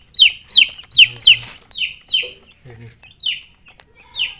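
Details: Chicks peeping loudly in quick high falling notes, several close together at first then more spaced out, with faint low clucking underneath.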